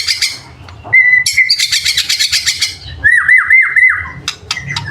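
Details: White-rumped shama, murai batu, in a training recording full of varied 'isian' phrases and 'tembakan' shots: a long flat whistled note, then rapid repeated upslurred whistles, sharp high chips and buzzy notes, with low hum beneath.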